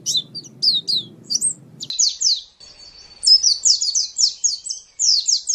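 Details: White-eye singing on a training master recording for songbird keepers: a few sharp high chips, then a brief gap and a run of fast, descending sweeping notes repeated in a lively chattering series, with a low hum only at the start.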